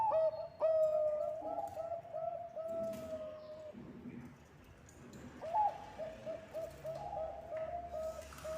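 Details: Bangkok-type zebra dove singing energetically, played as a lure: a sharp opening note, then a run of low, mellow cooing notes at an even pitch. A pause follows around midway before a second phrase of similar rolling coos with faint background hiss.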